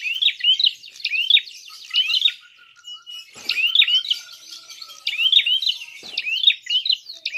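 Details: Fighting call of a prinia, played as bait to provoke rival birds. Bright, bouncing chirps come in rapid strings of three to four notes, with short pauses between groups and faint soft ticks.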